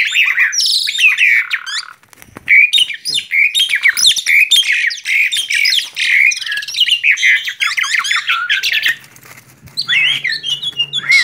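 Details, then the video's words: An agitated male Asian pied starling in full song pours out a fast, dense jumble of chattering, whistled and squeaky notes, nearly continuous for eleven seconds, with a faint low hum late on. "Suara emosi jalak suren jantan"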